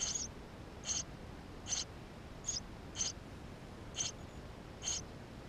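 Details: Eurasian tree sparrow nestlings inside the nest, filmed with a GoPro: short high hissing-chirp bursts repeated roughly every second, seven in all, over a faint steady background hiss.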